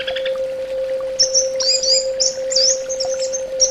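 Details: Orange-headed thrush giving a few soft chirps, then a high, thin run of tightly linked whistled notes and trills, with a constant low humming tone.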